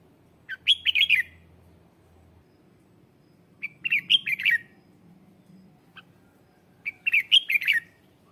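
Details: Red-whiskered bulbul lure song meant to call wild bulbuls; three brisk phrases of chirpy, warbling whistles about three seconds apart, with a faint low drone early on.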